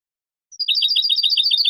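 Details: European goldfinch singing clean competition-style song for training juveniles: a dense, steady flow of bright, liquid twittering notes, quickly repeated, with no other sounds.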